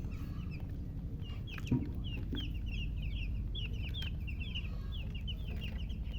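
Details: Newly hatched chicks peep steadily in uneven, high, down-slurred chirps that come several each second. There is a single knock early on and a continuous low drone behind.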